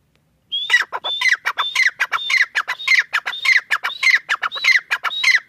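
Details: A pair of francolins, called irani teetar, giving a loud, rhythmic call. A clear whistled note slides into harsh, descending chattering notes, and the phrase repeats steadily almost twice a second. The background is quiet.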